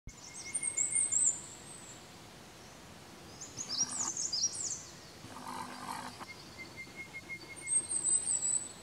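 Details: Chestnut-crowned warbler (Phylloscopus castaniceps) call in Neora Valley, West Bengal, India, March 2019: very high, thin, sibilant notes in short bursts every few seconds, over a faint steady whine and a brief rustle.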